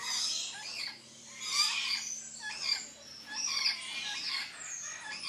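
Red-collared lorikeets give harsh, grating screeches and chatter in overlapping bursts roughly every second, high-pitched and raspy, with a faint low hum underneath.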